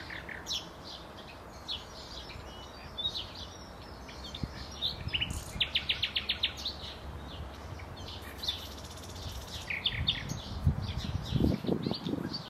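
A common nightingale sings varied, high phrases of chirps and whistles, with a fast run of repeated notes midway. Low rumbling noise rises toward the end.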